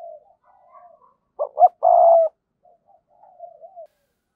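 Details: Decoy spotted dove calling in the giọng thổ style; soft murmuring notes frame one clear phrase of two short coos and a long even coo.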